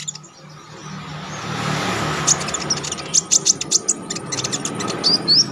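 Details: Songbird called konin (Olive-backed Sunbird), used as training material for song contests. Sharp, high chips and short upslurred whistles come in quick bursts over a steady roar of traffic and background noise.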